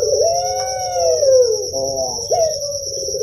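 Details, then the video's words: Java's puter pelung dove, heard in sound used to rouse young doves into song: a drawn-out arching coo, a brief buzzy pulsed note, then a sharp rising start to another long note, over constant high whining. "FIBRASI RANGSANGAN SUARA UNTUK PUTER PELUNG YANG MASIH MUDA"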